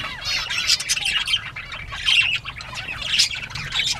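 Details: Northern bobwhite quail playing, recorded 19 April 2017, 10:13 AM; harsh, rasping squawks repeated roughly once a second amid constant overlapping chatter.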